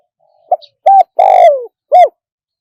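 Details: Live crowing of a spotted dove, wild-phrasing style, one 'kook' per crow: a soft lead-in coo, a firm short coo, a long hoarse note gliding down, then a closing short coo, heard close and quiet.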